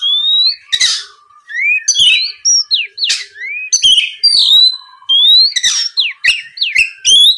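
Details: Oriental magpie-robin singing loudly, meant to provoke a rival into responding: bright rising whistles alternating with harsh rasping notes and clicks, phrases tumbling one after another with brief gaps.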